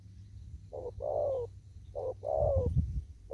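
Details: Spotted dove out in the fields giving two phrases of a short note followed by a longer wavering coo, with a low thump and rustle during the second phrase.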